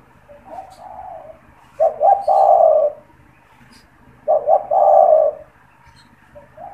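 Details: Spotted dove in a cage used as a caller to attract wild doves; soft lead-in coos then two loud phrases of two short notes and a long low coo, roughly two and a half seconds apart.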